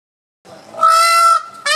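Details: Peafowl at Parc de Sainte-Croix giving a loud, drawn-out nasal wail held level for about half a second, preceded by a softer rising note and followed by the start of another loud cry.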